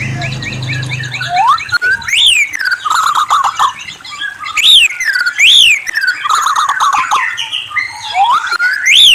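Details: White-rumped shama singing loud, varied whistled phrases, several sharp upslurred notes sweeping high and ringing, mixed with rapid chattering bursts and lower warbled runs; a low hum at the very start.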